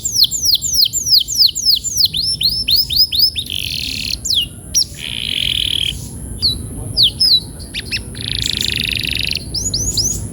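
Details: Singing canary meant to encourage a quick rolling song: a rapid string of descending whistled notes, then alternating buzzy rattles and short swoops, with a thin constant high whine.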